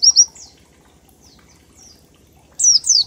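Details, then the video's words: Oriental white-eye ngalas-style song used as a lure for other birds: two short clusters of very high, sharply falling chirps at the start and end, with faint softer notes between. "Pleci Ngalas 1234 ketukan untuk pancingan bunyi"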